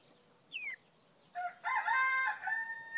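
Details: Male frizzled Pekin bantam, blue mottled with white, gives a short sharp chirp, then after a pause a harmonic-rich crow of stuttering bursts settling into a steady held note that trails off near the end.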